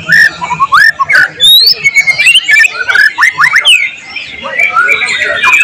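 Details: Tutor recording of a vigorously singing white-rumped shama filled with mimicked calls of other birds: a dense, nonstop stream of loud whistles, chatters and slurred notes jumping between pitches.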